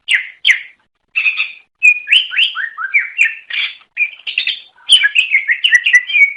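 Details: Melodious greater green leafbird, native to Indonesia, singing to attract other leafbirds: nearly continuous varied warbling with slurred whistles, falling notes and quick chattering trills, clean background.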